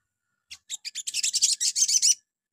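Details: Little spiderhunter, known locally as sogon, singing a morning lure meant to set other sogon calling: a short run of high chips speeding into a fast, even rattle of about a second and a half.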